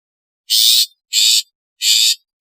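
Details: Harsh, grating calls of a long-tailed shrike, described as its natural, alarm and lure calls; three broad, noisy rasps, each about half a second, at a steady pace against silence.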